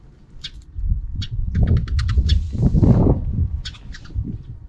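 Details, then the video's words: Afternoon sparrows, off camera, making noise: a quick irregular run of sharp chirps, several per second, over a loud low rumble and fluttering sound in the middle. "Even in the afternoon, the sparrows are still making noise outside the camera frame."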